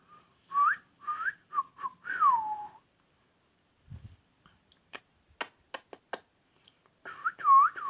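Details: Pet ringneck parrot whistling indoors: looping up-and-down whistled phrases, a pause, a run of crisp clicks, then repeated U-shaped whistles.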